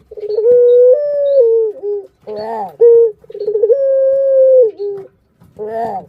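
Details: A Barbary dove kept as a pet, calling to draw out other birds: quick rolled pulses lead into long steady coos with a small step and fall, broken by rich buzzy bursts.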